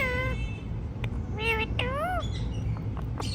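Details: A pet talking Indian ringneck parrot making natural sounds: a few nasal, harmonic calls, one steady and two that bend up then down, with soft clicks over a low room rumble.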